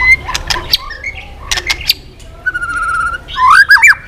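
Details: White-rumped shama singing intensely with a swiftlet-style, voice-switching song while flicking its tail: varied whistled phrases, sharp broadband clicks, a steady warbled trill and looping rising notes.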